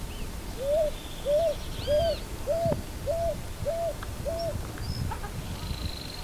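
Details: Rhythmic run of seven mellow coos from a picui ground dove, each note rising then flattening, evenly spaced about 0.6 seconds apart, over a noisy low rumble with scattered faint high bird calls.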